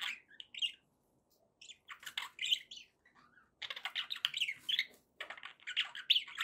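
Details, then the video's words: Pet budgies in a happy mood give short bursts of chirps and scratchy warbles separated by quiet gaps, quieter than usual. "happy budgie sounds"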